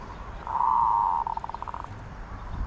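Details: Zebra dove song: a long, even, buzzy cooing note that breaks into a quick run of staccato pulses trailing off, over faint low background rumble.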